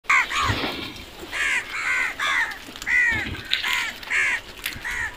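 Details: Crows calling in a series of harsh, arched caws, each about a third of a second long, given in quick bursts of two or three with short gaps between them.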